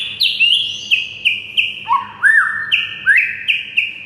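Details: White-rumped shama master song for exciting silent shamas: rapid repeated bright whistled notes several per second, interrupted by a lower rising slur, over a faint steady hum.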